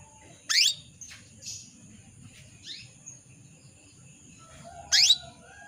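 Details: Female canary calling the male: two loud, brief rising chirps about four seconds apart, with a few softer chirps between them and a constant high-pitched hum in the background.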